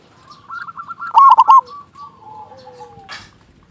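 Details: Local zebra dove with a big voice, singing actively, used as a lure to make other zebra doves sing: soft, rapid staccato cooing notes, then a loud emphatic burst of cooing, then lower drawn-out coos and a short rushing flutter.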